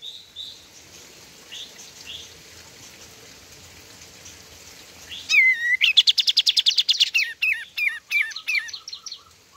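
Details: White-shouldered triller singing: faint notes at first, then after about five seconds a loud burst of fast, buzzy, repeated downslurred chips and whistles, delivered in a quick rattling series that gradually slows.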